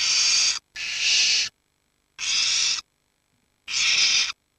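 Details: Young barn owls, the oldest 19 days and the youngest 7, keeping each other warm in a huddle while the adults hunt; four harsh rasping hisses, each under a second, with the first two nearly joined.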